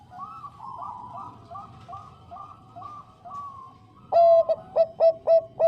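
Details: Female zebra dove of the Bangkok type calling to a male: a string of gentle, evenly spaced coos, then about five loud, abrupt coos repeated in quick succession.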